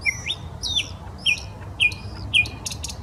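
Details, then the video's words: Common nightingale in the Smolenka park, Saint Petersburg, repeating one looping whistled note roughly every half second, five times. The song ends in a short clicking rattle over a soft low murmur. "Песня соловья"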